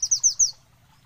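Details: Short burst of olive-backed sunbird song: four sharp, high downslurred notes in quick succession, then quiet.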